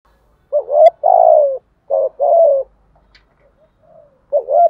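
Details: Cooing of a spotted dove, thúc gù and gáy gọi style meant to provoke wild doves quickly. Two phrases of a rising note then a long, slowly descending coo, with faint soft murmurs before a third phrase begins.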